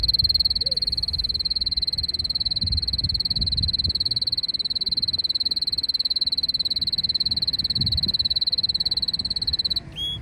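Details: Canary singing under the wisteria trellis in Nara Park, Japan, delivering a sustained fast high trill of evenly spaced notes for about ten seconds, ending with a brief rising whistle; soft low background noise.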